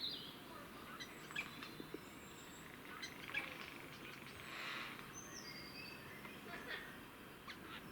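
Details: Four jays fighting in Cambridge, UK, on 9 April 2020, making weird noises: one harsh, rasping burst midway, with scattered thin whistles and chirps from other birds over steady background noise.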